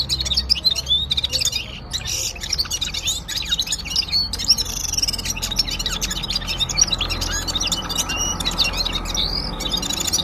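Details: Gulsar from Parachinar in the Himalaya singing at full power: dense, rapid high chirps and twittering notes overlapping without pause, with a steady low background hum.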